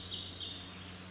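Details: Male Mourning Warbler singing in summer about 20–25 ft high in a forest tree at a sanctuary where one pair nests yearly, a brief burst of rich, high, slurred notes fading within half a second over a low steady hum.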